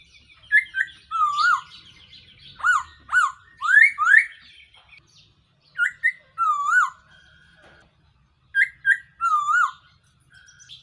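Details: Black-throated laughingthrush (Pterorhinus chinensis) calls with loud, rich whistled phrases swooping up and down, in bursts of two or three, with thin high chirps mixed in.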